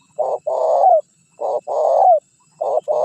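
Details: Decoy cooing of a spotted dove, played to bring wild birds and rivals in to answer: repeated two-part coos, short then long with a downward slide, nearly one pair per second and a half, with a third pair beginning.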